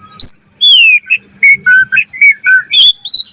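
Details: Asian pied starling master song for training birds, with clear drawn-out whistled notes that slide down, then a series of short flat and wavering whistles about every quarter second.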